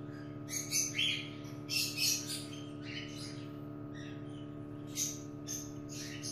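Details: Quieter cockatiel calls at a nest as a chick hatches and becomes stuck in its shell: a few raspy, hissing squawks spaced around a second apart, over a low droning hum.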